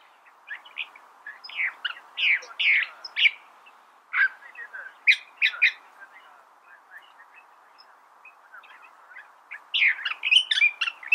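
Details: California thrasher song of quick, jumbled chirps and scratchy notes in bursts, a brief pause near the middle, then a fresh rush of varied phrases near the end.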